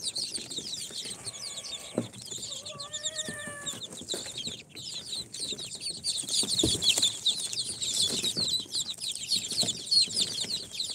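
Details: Many newly hatched chicks, four days from the incubator, of Sultan, Golden Sebright, Cochin and booted breeds, peeping nonstop in high quick chirps; brief steady beeping tones sound early on, and bumps and scratches occur throughout.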